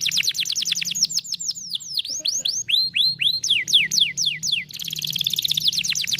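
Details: Canary song played to stimulate a lazy canary into singing: a continuous run of high, rapidly repeated downward-sweeping notes, about two per second, shifting into upward-curving slurs and a dense shimmering trill, over a faint low hum.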